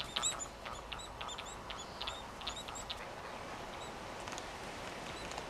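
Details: Several White Terns (Gygis alba rothschildi) at Midway Island, 1999, giving short, buzzy, chattering notes in quick, irregular overlapping bursts over a steady background hiss.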